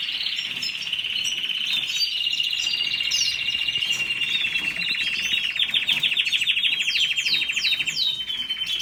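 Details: Canary pouring out a continuous trilled song, a fast steady roll overlaid with sharp descending high whistles that repeat in quick series toward the end.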